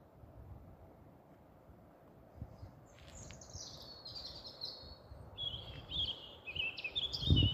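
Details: European robin singing at night under street lights in Staple Hill, Bristol, on 13 April 2020: thin, high, warbled phrases after a few seconds of quiet, each wavering and slurred, over a constant low traffic-like rumble.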